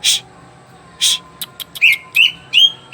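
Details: Greater green leafbird in full song: two harsh broadband chirps a second apart, then quick clicks and a run of bright whistled slurs, some rising and some falling.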